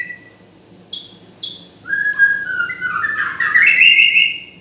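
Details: Song of a white-rumped shama: a lower whistle, two sharp high chips, then a long flowing phrase of slurred whistles that climbs in pitch and grows louder.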